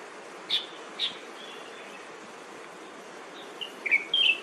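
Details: Ashy minivet on Dongyin, Lienchiang County, 17 April 2022: two short, sharp high chirps half a second apart, then a pause and a quick group of slightly falling high notes, against a constant hiss of ambient noise.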